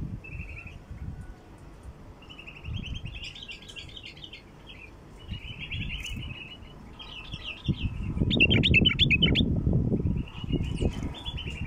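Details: Bulbul calls used to attract wild bulbuls: repeated short buzzy trilled phrases every second or two, one loud cluster of sharp twisting whistles, and heavy low rumbling noise in the later part.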